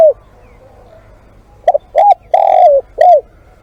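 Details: Spotted dove calling as a live decoy, with one short cooing phrase: a soft quick note, a rising coo, a long drawn-out hoarse coo that slides downward, then a final falling coo.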